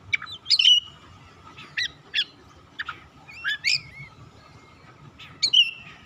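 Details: Oriental magpie-robin phrases intended to get other birds singing again: sharp clipped chirps and bright whistles scattered at irregular intervals, including an upward-sliding call, against a steady faint hum.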